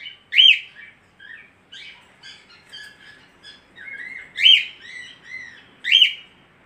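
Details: Budgerigar, known locally as parkit aussie, chattering song of short buzzy warbles and chirps, broken three times by loud sharp squeaks about a second and a half apart, otherwise quiet surroundings.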